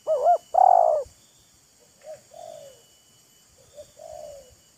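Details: Decoy spotted dove and wild spotted dove exchanging calls, showing off and luring each other: a loud close wavering coo with a long buzzy coo, then two softer, farther falling coo phrases in reply.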